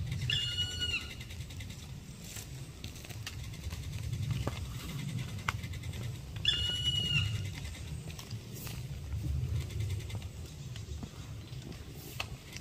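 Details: Black woodpecker giving two drawn-out, harmonic-rich calls that dip slightly in pitch, one near the start and one about six seconds later, over a steady low rumbling background.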